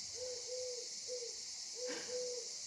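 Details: A turtle dove perched high on a pole at the port of Carqueiranne, Var, on a hot sunny morning gives soft, low, purring coos in quick pairs against loud cicada buzz.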